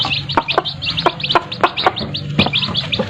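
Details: Chicks with their mothers: a stream of thin, high, quickly repeated cheeping notes over a steady low hum, cut by sharp clucks or pecking taps every few tenths of a second.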